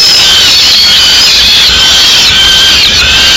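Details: Peregrine falcon nestlings in Madrid on 19 May 2016, feeding on a pigeon delivered by the female, keep up a steady, shrill, rasping squeal rich in overtones throughout, with slight rises and falls in pitch.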